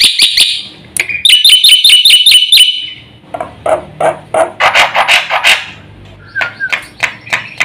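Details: Black-winged myna singing 'gacor' with 'isian' fill-ins: a fast string of high chattering notes, then irregular coarse, raspy bursts and a short whistle.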